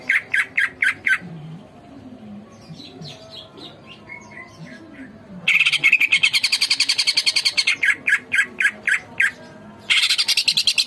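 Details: Greater green leafbird (cucak ijo) in vigorous song: bursts of sharp repeated notes, a quiet stretch of soft warbling, then a loud rapid chattering trill running into spaced emphatic whistles and another burst.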